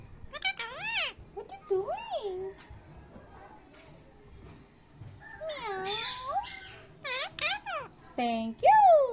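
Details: Indian ringneck parakeet at home saying "thank you": repeated bending, voice-like syllables in short clusters separated by quiet gaps, ending with a loud falling note, with faint music in the background.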